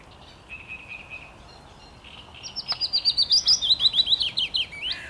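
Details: Song of a willow warbler, 17 May 2021: faint soft notes first, then a clear phrase of quick, slurred whistles starting high and tumbling gently lower, each note repeated in steady succession.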